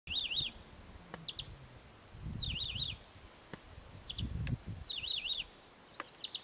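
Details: Many-colored Chaco finch (Saltatricula multicolor) in Sierra de las Quijadas National Park gives short, high, jittery zigzag phrases about every two and a half seconds, with low wind rumble and a few sharp clicks.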